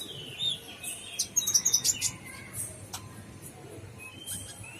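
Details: Brown-throated sunbird in gacor full isian song: a thin high whistle, then a fast sparkling run of tiny chirps, followed by sparse faint slurred notes and quiet pauses.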